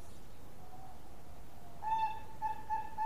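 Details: Bangkok-type zebra dove singing actively in the long-voiced style: after a quiet start, a run of short, clear, mellow coo notes repeated about every third of a second over low background hiss.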